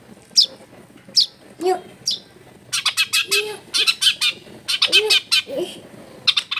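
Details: Long-tailed shrike kept at home, heard in a clip meant to provoke a lazy bird to sing; scattered sharp chips, then rapid buzzy rattling trills in short bursts, with a lower squawky note mixed in.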